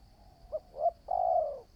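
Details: Single phrase from a spotted dove in training as a trapping decoy: two soft short coos rising in strength, then one long, even, low coo.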